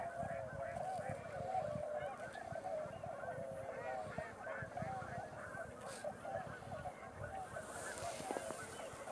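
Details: Snow geese dropping in at night in late November, a dense chorus of overlapping nasal honks and yelps from many birds at once, continuous over the whole stretch, with a low rumble underneath.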